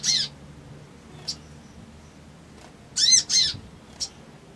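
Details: Crimson sunbird, sung in the ngriwik ngleper trotol style to provoke an emotional response in other birds: a few sharp, harsh, down-slurred notes, one burst, a pause, then a quick pair and a final short note, in a quiet room.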